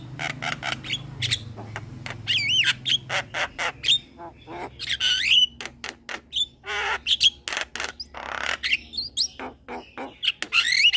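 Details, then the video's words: Captive young male black-winged starling in full song for a training recording, mixing dry clicks and squawks with looping wavy whistles and a noisy rasp, delivered in a steady, dense stream. "Jalak Kebo Jantan Muda Rajin Bunyi"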